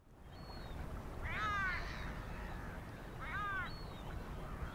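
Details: European herring gull (Larus argentatus) recorded in Świnoujście, Poland, on 27 September 2022, giving two nasal, mewing calls about two seconds apart, each slightly arched in pitch, over a steady low rumble of wind or traffic.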